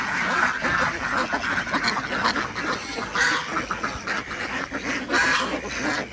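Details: Desi ducks on a village duck farm in Andhra Pradesh, heard in the morning while their eggs are collected: a flock gives overlapping nasal quacks, with louder harsh bursts near three and five seconds over a steady background murmur.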